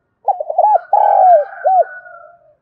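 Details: Spotted dove decoy bird calling in Đồng Nai, Vietnam, gives a mellow, hollow coo phrase: a few quick soft notes, then a long drawn coo and a final rising-falling note.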